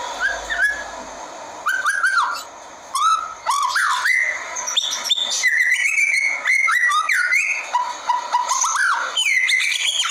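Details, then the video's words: Blacktail white-rumped shama pours out loud, varied song: sliding whistled notes, rising and falling slurs, and crisp rapid chips, delivered in continuous phrases with brief pauses. "Murai blacktail - Dijamin ngotot murai anda kalau denger suara murai ini"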